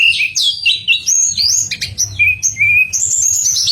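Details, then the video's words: Pied fantail singing a sweet contest-training song of quick looping whistles, high twitters and a few lower slurred notes in fast succession, over a low background hum. "Manis Kicauan TLEDEKAN"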